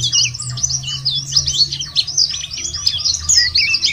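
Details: Lure song of a white-eye for prompting birds to sing: busy, high, rapid twittering with jagged swooping notes, and a low steady hum in the background.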